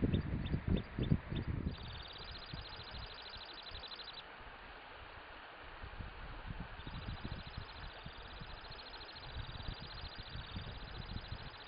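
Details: Temminck's stint in Norway giving long, thin, high-pitched trills sustained for several seconds with short breaks. Low rumbling wind or handling noise is heard at the start and faintly throughout.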